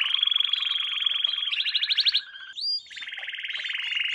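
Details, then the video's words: Canary performing a lesson song meant for young canaries: a continuous fast trill that switches to a quicker rolling section, a short clear whistle, then another steady rapid trill. "Canary Singing - lesson 16"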